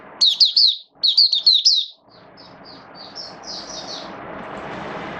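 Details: Oriental white-eye in rainy-season conditioning, 8 October 2022: two quick clusters of bright, high chirps, then thin softer notes fading under a rising broad rushing noise.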